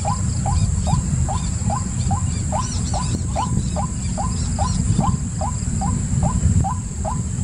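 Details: White-breasted waterhen calling: a long, steady run of short, hooked, upslurred notes, about two and a half each second, over heavy low rumbling background noise.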